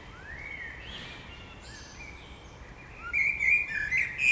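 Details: Spring song of birds: soft, distant sliding whistles at first, then a nearer bird bursts into a quick, bright, repeated chirping trill.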